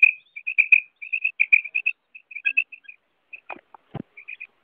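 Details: Female common quail call in a hunting context: rapid clusters of short, pure, high notes, often doubled or tripled, repeated steadily with brief pauses and a few sharp clicks.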